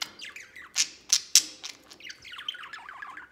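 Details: Pet budgerigars, including a white budgie, playing outside their cage: bright, sharp chirps and clicks, then a rapid, scratchy warbled chatter running for over a second, ending with a loud chirp.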